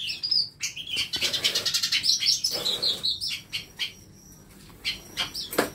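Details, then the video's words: Masteran birds in a small home aviary: high, busy chirping and twittering, bright rapid phrases in the first half, then scattered sharp chirps and quieter gaps. "KANDANG AVIARY ISI NYA BURUNG BURUNG MASTERAN"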